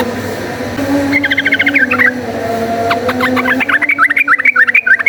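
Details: Rapid, chattering fighting song of a yellow-vented bulbul, played as a lure to provoke fighting: quick runs of bubbly, rising-and-falling notes in two bursts, over a constant low mechanical hum.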